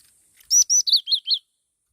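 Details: Black-throated laughingthrush singing a short phrase: two strong high notes, then three lower arched chirps in a quick run, with faint hiss before the phrase.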